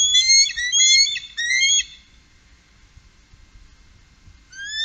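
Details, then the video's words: Bald eagles, a trio on the Upper Mississippi, 2018, utter about two seconds of fast, high, piping chitter notes, then fall silent, with one more thin whistled note at the very end. "Trio Bald Eagle- Górnego Mississippi 2018"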